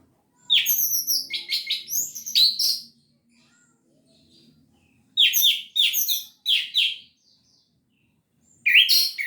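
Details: Orange-headed thrush in full 'gacor teler' song, meant as a lure to rouse reluctant birds into singing: bursts of bright, varied, high whistled and chattering notes in quick series, a long pause, then two more short bursts.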